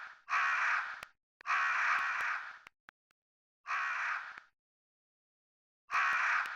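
A crow gives four harsh, hoarse caws, each under a second long and spaced one to two seconds apart, with nothing else heard between them.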